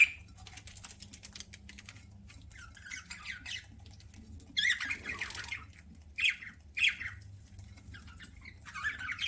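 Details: Pet budgerigar chirping while eating: scattered bursts of scratchy, high squawky chirps separated by quiet pauses, with faint tapping and a low room hum underneath.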